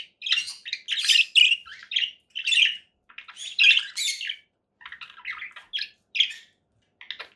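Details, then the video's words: Conure parakeet chattering in a string of scratchy, high chirps and squawks, irregular in timing, with short gaps between clusters. "conure parakeet sounds"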